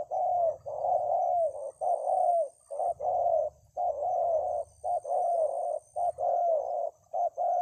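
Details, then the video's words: Spotted dove (tekukur) singing in a yard, in the song style known locally as "kuk 2 3 jergot": mellow, low hollow coos in tight multi-note phrases, repeated almost continuously with short pauses between bursts. A faint low hum sits underneath. "Kuk 2 3 jergot di laman ke 2."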